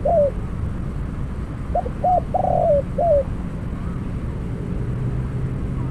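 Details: Spotted dove kept as a trapping decoy: the tail of one falling coo, then a full phrase of short hooked notes, a drawn-out burry coo dropping in pitch and a closing downslurred note, with low background hum.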